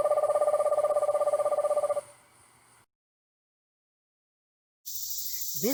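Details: In northern Virginia, an Eastern Screech-Owl, which trills rather than hoots, gives a steady, even-pitched trill for two seconds, then a brief hush, and a harsh, noisy burst of another sound ends the clip.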